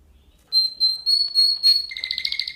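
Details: Canary song from a singing lesson for canaries: one long steady high whistle lasting over a second, breaking into quick stuttering lower notes at the end.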